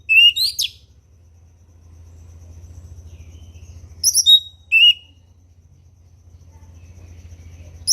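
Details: Orange-headed thrush in ngeplong song. Brief, high twittering phrases are separated by long gaps, over a low steady hum.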